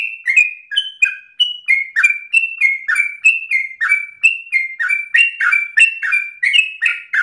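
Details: Sooty-headed bulbul pouring out a fast run of loud whistled notes, each phrase stepping up and then down, repeated steadily in the vigorous 'ropel' style against a silent background.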